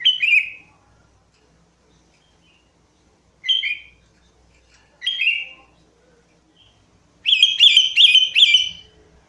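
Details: Sooty-headed bulbul lure song: several single bubbly downslurred phrases spaced a second or more apart, ending in a run of three fast warbled notes.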